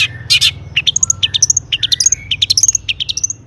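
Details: Energetic Long-tailed shrike song packed with imitated phrases, played to provoke other shrikes: two harsh rasping bursts open into rapid chips and high thin whistles, with a low steady hum behind.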